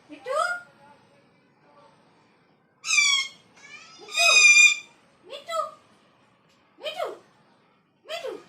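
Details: Talking parrot repeating "Mitthoo" and producing playful dog-like noises: bright, shrill, up-and-down squawked syllables in clusters, loud bursts near the middle, then short paired chirps, in a quiet indoor room.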